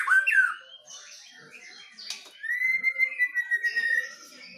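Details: White-rumped shamas, Medan versus Nias forest birds, duelling: a rising slurred whistle, then a long steady whistle with pulsing notes beneath and softer calls.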